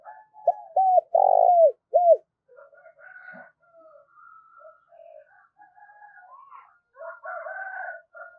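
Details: Spotted dove kept as a decoy, giving a call to attract wild doves: one low phrase of clipped coos, a broad rolling note and a falling coo, followed by several seconds of faint, varied background calls.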